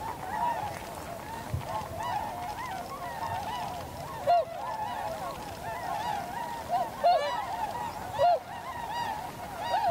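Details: Wintering Tundra swans, a flock landing and flying in V formation on 7 February 2015, Canon PowerShot SX60 HS with external microphone: dense chorus of overlapping honks, with several louder, closer bugled notes every second or two.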